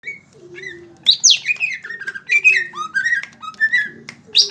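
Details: Caged greater green leafbird in full, lively song: a varied run of whistled, slurred phrases that sweep up and down, some sharp rising notes and quick chattering bits, delivered in bursts with short pauses.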